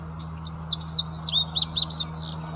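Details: Second-year male indigo bunting singing on 8 May in West Baton Rouge Parish, Louisiana: a quick series of high, sharp, paired and slurred notes, bright and sweet, lasting about two seconds, over a steady low hum.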